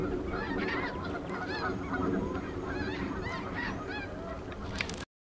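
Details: High-flying snow geese, over 100 birds including immatures and dark morphs, over Buck Creek State Park in spring 2011; steady overlapping barking honks from the flock, ending abruptly after five seconds.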